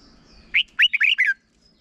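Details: Red-whiskered bulbul, short song meant to be copied by young birds: five rich whistled notes in quick succession, swooping up and down and finishing on a falling slur.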